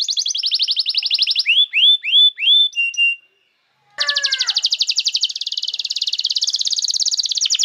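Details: Canary song for training young birds: a dense buzzing trill, then four rising whistled notes and short chips, a brief pause, and a long fast rattling trill to the end.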